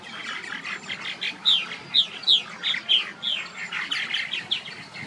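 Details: Purple martins at a colony in downtown Batavia, Illinois, chatter together in a dense stream of bright, gurgling chirps, several birds calling at once, about three notes a second, over faint background hiss.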